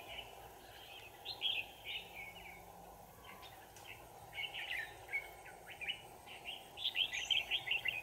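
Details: Red-whiskered bulbul singing during bird trapping on 25 November 2018, a busy run of short warbled, chirpy phrases repeated rapidly over a steady low hum.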